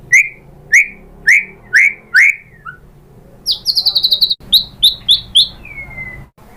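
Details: White-rumped shama lure sound: five loud, spaced, downward-slurred chips, a fast high trill, a few more chips, and a final falling whistle.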